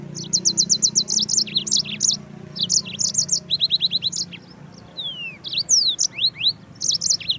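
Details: Yellow-fronted canary singing, for training birds: quick high trills repeated in bursts, then descending whistled slides and rising sweeps, over a steady low hum.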